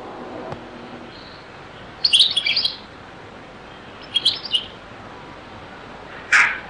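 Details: Very old recording of a European goldfinch singing in the Beni Messous 'les avocats' or zaboka style: three short, high, tinkling twitter phrases spaced about two seconds apart, separated by quiet hiss.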